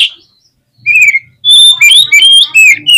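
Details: Oriental magpie-robin singing agitatedly to provoke other birds: a short whistle, then a rapid string of loud, varied whistled and chattering phrases with a faint low hum underneath.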